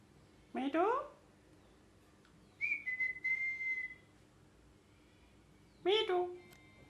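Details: Talking pet green parakeet gives a harsh descending squawk, then a drawn-out steady whistle, then another coarse squawk after a pause.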